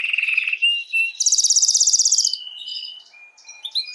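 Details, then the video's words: Canary song used to excite females for breeding: a low rolling trill, two short whistles, a loud high rattling trill of about a second, then scattered short whistled notes. "تغريد كناري"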